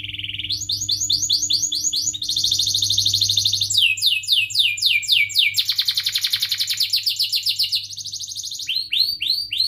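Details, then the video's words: Canary rolling through its song, used to stimulate young and stalled birds: a varied sequence of tours, each a rapid series of identical chirps or sweeping whistles, switching type every second or two, continuous and loud. "Kenari Gacor Cuit cuit Ngerol"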